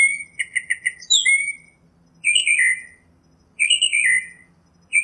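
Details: Northern mockingbird singing outdoors, with a short run of quick repeated notes followed by longer slurred, falling phrases spaced out by gaps of about a second.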